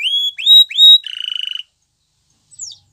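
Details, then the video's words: Canary song fragment: three rising, pure whistled notes, a short rapid trill, a pause of silence, then one high falling slur. "Canary Bird Sounds | Melodies Canary Singing"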